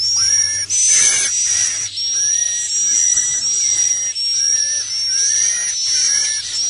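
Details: Swiftlet 'inap plus' lure sound for roosting: a continuous high, hissing, whistled twitter broken by short dips, with faint lower chirps underneath and a steady low hum.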